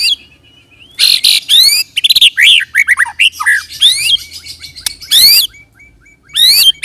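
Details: White-rumped shama (murai batu) in 'roll tembak' lure song: rich mix of harsh rising bursts, swooping whistles and quick chattering notes, then a pause and a final loud sweep; faint low hum underneath.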